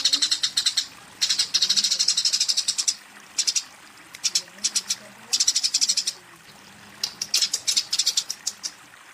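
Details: Fighting Eurasian tree sparrow calling a rival: short bursts of rapid harsh chirps, each lasting about a second, separated by pauses, with a low murmur in the background.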